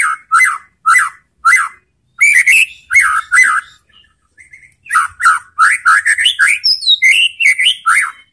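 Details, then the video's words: Indonesian caged white-rumped shama singing to draw answers from other shamas: evenly spaced loud downslurred whistles, then a brief pause and a quickening series of rich varied whistles and high squeaky notes. "spontan EMOSI!! MURAI BATU apapun akan jadi GALAK NYAUT ¦ PANCINGAN MURAI"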